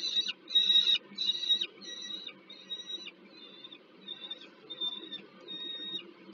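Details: Peregrine falcon at a Warsaw nest, Poland, 15 August 2022, during a food handover to a young bird: a run of harmonic wailing calls that starts strong and fades to quieter, shorter notes over a low hum.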